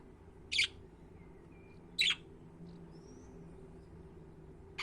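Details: Budgerigar uttering loud harsh scratchy chirps roughly every one and a half seconds, with faint thin whistles between them and low background hum.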